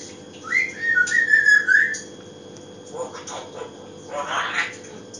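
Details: Pet grey parrot (Psittacus erithacus) gives a wavering, fluty whistled phrase lasting over a second, then two short, rough, hoarse squawks in a quiet room.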